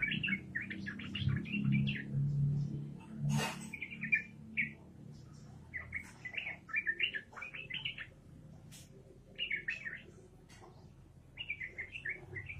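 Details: Yellow-vented bulbul (trucukan) in steady song, delivering repeated short, liquid chattering phrases of jumpy notes every second or two, with a low rumbling background hum throughout.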